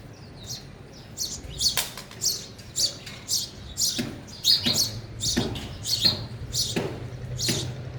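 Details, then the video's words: Sparrows feeding at a feeder: a busy run of high, sharp chirps and squeaky notes, irregularly spaced, with clicks and light knocking sounds in the room. "sparrow eating"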